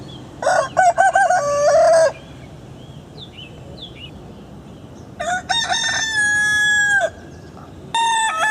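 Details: Two loud rooster crows, the first choppy and broken, the second a long steady held note, with faint chirps of small birds between them and the start of another crow at the end.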